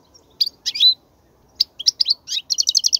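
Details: European goldfinch song played to teach chicks: scattered high chirps building into a rapid, evenly spaced trill of bright, tinkling notes at the end.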